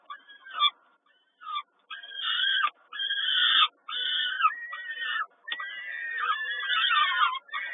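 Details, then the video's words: Peregrine falcons begging at a feeding in Kawęczyn, 10.05.22: separated bursts of shrill, strained harmonic cries, each about half a second, spaced by short gaps, growing denser toward the end. "Sokół Kawęczyn Karmienie 10 05 22"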